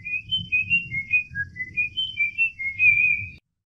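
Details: Cockatiel singing, a series of clear whistled notes at fairly steady pitch, some rising and falling, repeated about every quarter second with a low hum underneath.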